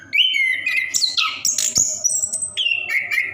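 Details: Short burst of caged orange-headed thrush song, used to prompt silent caged birds: a rising whistle, then sharp high slurred notes and clicks, ending in level whistled phrases.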